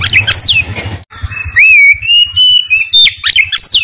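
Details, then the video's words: Oriental magpie-robin singing loudly and clearly without pause: high ringing whistles, one rising then held in a long clear note, mixed with harsh scratchy bursts and low background thumping. "Burung Kacer Bersuara Kinclong"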